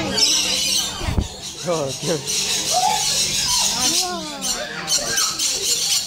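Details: Rainbow lorikeets at a zoo keep up a constant shrill, high screeching chatter, with people talking nearby throughout.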